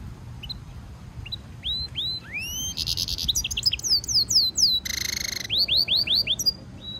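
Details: European goldfinch mule (hybrid) heard during song training as stimulation song: upslurred whistles building into harsh buzzy bursts, rapid twittering downslurs, a long grating rattle, then more rising whistled notes.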